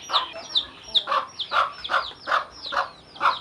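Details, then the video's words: Hen calling her chicks to eat with a steady run of rounded 'kuk' clucks, about two or three per second. The chicks reply with high, downward-slurred cheeps. "เสียงแม่ไก่ดังกุกๆเรียกลุกมากินเหยือ/Tiếng gà mái"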